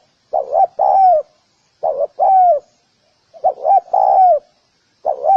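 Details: Spotted dove cooing in a rhythmic pattern: a short double coo, then a longer mellow note that dips at the end, repeated about every one and a half seconds with silence between phrases.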